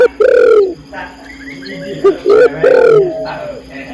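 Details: Female spotted dove calling the male: a long falling coo opens, then soft background chirps, then another clipped-then-drawn-out cooing phrase.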